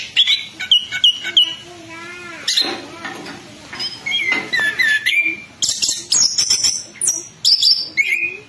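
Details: Orange-headed thrush used as a lure song, described as lively, rolling and open-voiced. Varied whistled phrases at mid to high pitch, with short repeated notes, a rising harmonic wavering tone and a few sharp high trills, all in quick succession.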